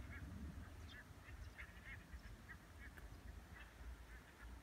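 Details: Common teal (Anas crecca) at Laguna de Miralrio, Parque Regional del Sureste, on 31 August 2018, giving short, clipped whistled calls in a quick, uneven series, several overlapping, over a steady low rumble of wind or distant noise.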